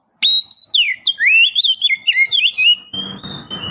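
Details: Female Oriental magpie-robin calling a male. A continuous, fluid whistled phrase sweeps and zigzags up and down before settling into a long level tone, while rustling low noise enters in the final second.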